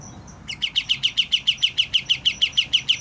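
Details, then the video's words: Young white-eye just starting to learn its song: after a faint start, a fast run of short sharp chirps, about five per second, each the same. A thin steady high tone and low hum sit behind it. "BURUNG KAPAS TEMBAK MUDA, mulai belajar bunyi"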